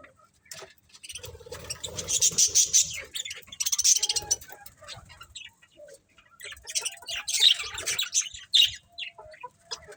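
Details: Budgerigars in a happy pet colony, chirping in busy bursts of harsh, buzzy high chatter with scratchy warbles, broken by short pauses and low rustling.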